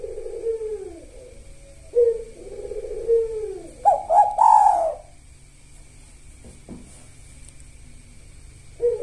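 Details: Spotted dove in lively kuk satu song with the sahur rhythm: several arched low coos, then a loud triple-note climax near four seconds, followed by a long quiet pause before the next coo begins.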